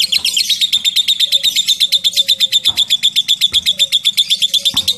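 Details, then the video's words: Lovebird delivering the drawn-out ngekek trill, an even, machine-like run of sharp high notes about six per second, over soft background whistles and a few taps. "LOVE BIRD NGETIK NGEKEK PANJANG"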